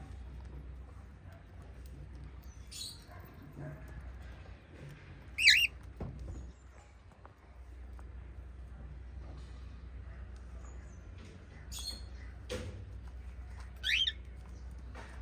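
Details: A cockatiel from a family of five pet cockatiels gives two sharp, bright chirps several seconds apart over a low steady hum.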